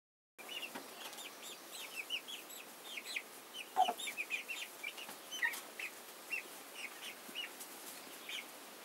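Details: Chickens, a hen with her chicks: many short, high, arched peeps from the chicks, irregular and overlapping, about one every second or two, with an occasional lower soft note between them.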